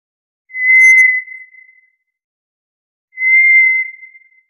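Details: Two long, level, ghostly whistles from a White's thrush, the second slightly higher, separated by about two and a half seconds of silence.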